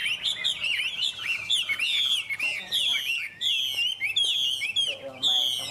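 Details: Singing Chinese hwamei from Vietnam: loud, rich whistled phrases with looping slurs and sharp upswept notes, delivered in bursts separated by short gaps.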